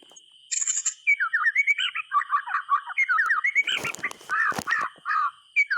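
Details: White-rumped shama song used to prompt silent shamas to sing: varied rapid whistled and slurred phrases, buzzy notes and sharp clicks, with a steady high electronic tone running underneath.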